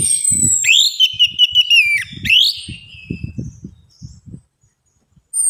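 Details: Orange-headed thrush song played as a lure to prompt other birds to sing. Loud, continuous, varied whistles rise and fall, with quick trilled notes in the middle. Low thumping background noise runs underneath, and a short whistle closes the clip.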